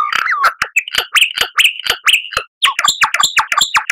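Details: Lyrebird song intended for cage birds to imitate: a continuous medley of varied whistles, bent liquid notes and sharp chips, delivered rapidly with hardly a pause.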